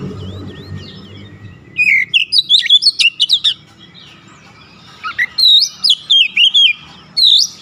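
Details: Oriental magpie-robin delivering varied song phrases of sweeping whistles and sharp rapid notes, in two long bursts after a quiet start with low hum.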